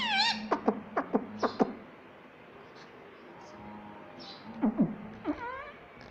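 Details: Pet rose-ringed parakeet, a green ringneck parrot taught to say mummy and papa, gives a quick run of sharp clicks, then raspy, harmonic, voice-like calls at the start and again near the end, with a quiet indoor room between.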